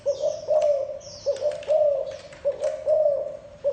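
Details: Spotted dove giving a run of deep soft coos, clustered notes with short gaps, plus faint clicks and distant bird chirps.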